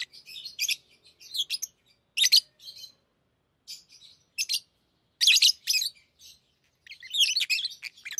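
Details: Pet lovebirds, hand-tamed, chatter while playing with rings; irregular bursts of shrill, scratchy chirps and twitters, some in quick doubled pairs, with brief quiet gaps.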